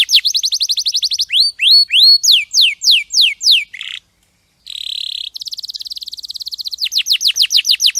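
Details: Canary song in tours: a rapid run of falling notes, then rising hooked whistles, sweeping slurs, and a buzzy trill. A short silence follows, then another fast series of descending notes.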